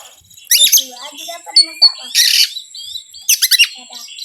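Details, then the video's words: Lure song of an Oriental magpie-robin, meant to provoke other birds. Quick chattering notes lead to a pair of thin whistles, then a dense raspy burst and a final run of fast descending strokes, all backed by a steady high hum. "PANCINGAN BURUNG KACER YANG SUSAH PANAS 99%EMOSI"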